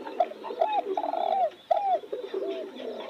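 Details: Spotted dove giving clear, mellow coos, each a short arched note that swells and falls, several in quick succession with a brief pause mid-sequence and fainter coos behind.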